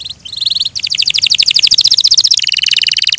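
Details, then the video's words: Canary singing a long fast trill of high buzzy notes, about a dozen per second, shifting lower in pitch near the end, after a short opening whistle. "Suara Burung Kenari"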